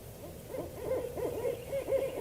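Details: Two barred owls give a fast run of wavering, quavering hoots that rise and fall in a low-to-mid pitch, several excited notes packed into two seconds; such monkey-like calls are sometimes mistaken for Sasquatch.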